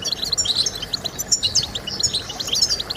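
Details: European goldfinch song used to motivate singing: quick, bright, liquid twitters and high chirps run together in a lively, unbroken phrase.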